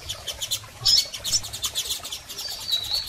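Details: Double-collared seedeater calls from females and males, aimed at stimulating a male: a brisk run of rhythmic high ticks with a couple of sharp squeaky chirps and a thin drawn-out note.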